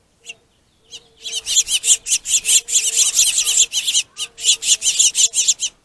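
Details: Aggressive finches contesting a plentiful food source: a loud, continuous volley of rapid, high, harsh chirps, nearly unbroken for several seconds, with a faint steady low hum beneath.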